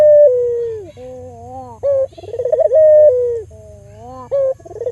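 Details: Albino local Barbary dove, kept to lure other doves into calling. A sustained coo note falling at its end, then a quiet low hum, a short abrupt note, and a rippling trill that runs into another long falling note.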